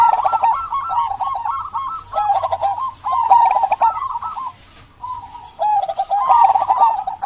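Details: Local zebra dove in frequent song, played to prompt silent doves to sing: rapid rolling bursts of soft staccato cooing notes in phrases of one to two seconds, a brief lull near the middle, faint high chirps above.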